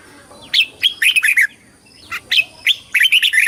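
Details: Competition song of a red-whiskered bulbul, meant for calling the flock and training voice: two lively warbled phrases of short chirpy whistles, each a rapid run of four to five notes, separated by a brief pause.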